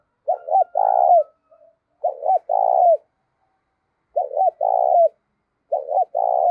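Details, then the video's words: Decoy spotted dove used for luring wild doves, 'giọng thổ' voice style: four repeated low phrases, each a quick pair of short hoarse notes then a drawn-out coo falling at the end, spaced about one and a half seconds apart. "Chim Cu Mồi - cu gáy giọng thổ thúc cực đỉnh dùng kích bổi hiệu quả"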